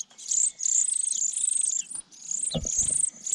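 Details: Sparrow chicks in a nest high in a pine tree begging as adults bring food: piercing high squeaky bursts in waves, broken by two short pauses, then a low thump of movement.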